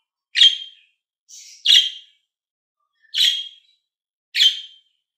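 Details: Green and blue pet budgies: four grating chirps, the second preceded by a softer buzzy note, each clearly separated in otherwise silent surroundings.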